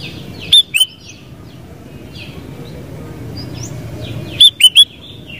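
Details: Sooty-headed bulbul giving two short groups of clear whistled notes, one at the start and one near the end, separated by a quiet gap with faint distant birdsong.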